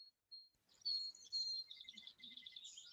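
An Anna's Hummingbird gives a soft, scratchy, buzzy song of high squeaky notes, with Song Sparrows calling in the background.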